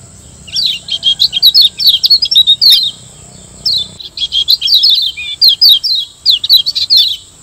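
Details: Lemon-bellied white-eye (Lombok yellow white-eye, Zosterops), tutor recording: two quick bursts of high, sweet twittering notes, each about three seconds, over a steady thin high whine.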